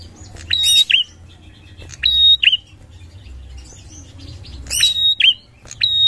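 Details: Bar-winged prinia lure song: clicks leading into a level piercing whistle then a short buzzy drop, repeated in loud phrases, with softer high chirps between and steady low hum.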